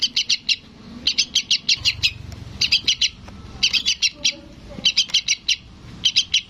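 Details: Juvenile sooty-headed bulbul begging from its parent, giving seven bursts of three to six sharp, high chirps in quick succession, with faint low background noise.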